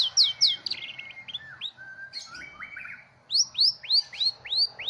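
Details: Competition white-rumped shama, national champion at the 2018 President Cup, delivers loud upward-swept whistles, then lower gliding notes, then a repeated series of six bright rising whistles.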